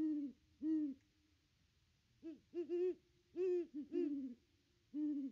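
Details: A Great Horned Owl at its nest tree gives deep, mellow hoots in short uneven groups, some single, some in twos and threes, over quiet background, on a Christmas visit, 25 December 2021.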